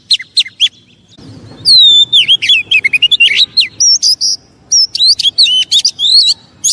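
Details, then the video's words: Provoking song of an Oriental magpie-robin, meant to make other magpie-robins agitated: a few sharp notes, then a loud flowing medley of whistled slurs and scratchy chatter, faint low background rumble. "Pancingan burung kacer biar cepat emosi"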